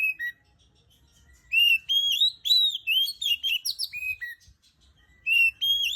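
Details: Morning song of an Oriental magpie-robin, locally kacer, sung in a relaxed manner: a short whistle, a silent gap, then a long run of varied clear whistled notes and trills, ending with two more phrases.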